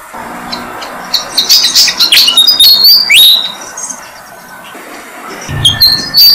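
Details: Malaysian pied fantail chicks, six days old, being fed in a jam tree: a cluster of shrill, scratchy high chirps and thin whistles, fading to near silence, then a few high notes return.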